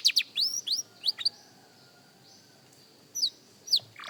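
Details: Sparse song from a young canary still practising: a handful of quick, high, downslurred whistles at the start, a long near-silent pause, then two more sharp falling notes near the end.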